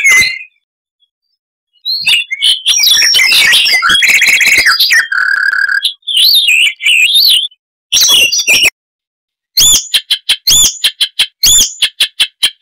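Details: Varied Icterine warbler song with mimicry: scattered opening notes, a dense scratchy jumble, a buzzy rattle, looping wavering whistles, then after a pause a string of sharp, evenly repeated high chirps.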